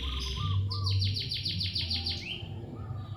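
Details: Lovebird giving a fast run of about ten sharp chirps in quick succession, ending in a short rising note, with softer lower warbles before and a steady low hum beneath.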